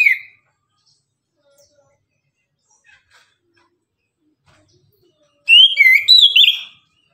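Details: Orange-headed thrush, known locally as anis kembang, singing energetically in the morning as a lure to stir other birds into song: one short burst of high, twisting whistled notes after a long near-silent stretch.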